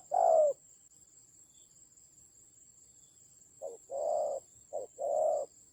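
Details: Spotted dove used as a decoy bird in a fight in the Central Highlands forests of Vietnam, 19 October 2020: a soft low coo, a pause, then a quick run of short and longer coo notes, over a steady thin high whine.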